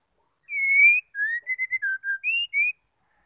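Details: Clean whistled call of a female white-rumped shama, meant to trigger males into singing: a drawn-out rising whistle, then about eight short, clear notes shifting in pitch, ending on two higher whistles.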